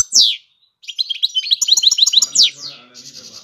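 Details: European goldfinch aged five years: a loud sharp descending call, short pause, then a quick run of high twittering notes and another downward-slurred buzz.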